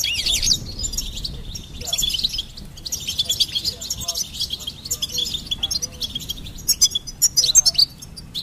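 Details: Goldfinch giving a lively, jangling song of quick high chirps and rippling trills, steady through the middle and ending with sharp, loud bursts.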